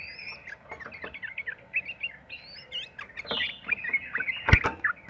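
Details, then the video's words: Yellow-vented bulbul (trucukan), long trilling 'ropel' song used as a lure to get other bulbuls singing: busy run of short chirpy notes near mid pitch, with high rising whistles and a sharp click partway through. "trucukan gacor ROPEL PANJANG buat pancingan trucukan agar bunyi"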